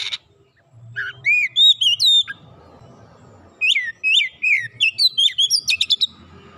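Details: Oriental magpie-robin singing, used to stir a quiet bird into full song: clear looping whistles, then a pause with soft background hiss before rapid sweeping whistled phrases and quick chirps.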